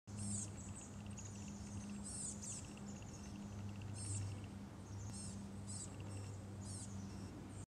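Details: A baby black-capped chickadee on a Squak Mountain trail begs nonstop, fluffing up and flapping its wings, with thin, very high, scratchy notes in quick irregular bursts over a steady low hum.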